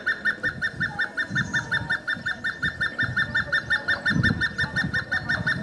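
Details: Hemprich's hornbill calling and singing around Wollo University and Dessie, Ethiopia: a fast, even series of clucking notes, nearly three per second, running throughout over low rumbling background noise.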